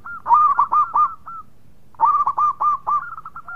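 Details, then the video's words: Zebra dove of local stock singing vigorously, with two phrases of rapid, bright, hooked cooing notes, each phrase of about six notes separated by a short silence. "Perkutut Lokal Gacor Suara Mewah"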